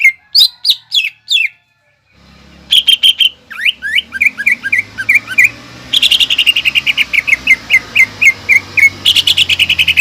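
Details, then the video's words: Vigorous greater green leafbird song of the 'nembak ngekek' type, meant to be copied by young birds: high slurred whistles, then long runs of quick clipped chirps over a faint low hum. "PANCINGAN CUCAK IJO GACOR NEMBAK NGEKEK BIKIN CEPAT MASUK BUAT CUCAK IJO KUNINGAN"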